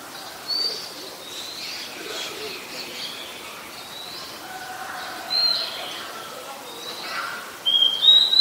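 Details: Oriental magpie-robin singing in Ubon Ratchathani, Thailand, on 17 November 2021, a very common resident: varied high whistles and slurred notes, with a louder, sharp rising whistle near the end, above a soft hiss.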